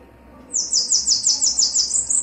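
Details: Bananaquit, male and female mentioned, giving a thin, high-pitched sizzling song of quick repeated buzzy pulses, about nine in under two seconds, slightly rising at the end.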